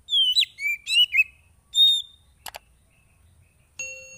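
Oriental magpie-robin singing clear, sweeping whistled phrases that rise and fall. They are followed by a few sharp clicks and a ringing metallic ding.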